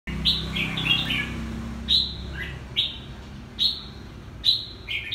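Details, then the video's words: Red-whiskered bulbul, a 'two-season' bird from Quảng Nam, Vietnam, singing short bright whistled phrases around the upper-middle pitch, each opening with a sharp rising note, repeated roughly every second, over a low steady hum. "Siêu chào mào hai mùa Quảng Nam"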